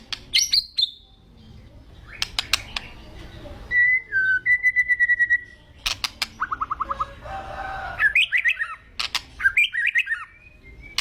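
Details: Agitated white-rumped shama gives a varied, broken song. It mixes sharp clicks, a sustained level whistle, rapid rattling trills and looping warbled phrases, with short pauses between bursts.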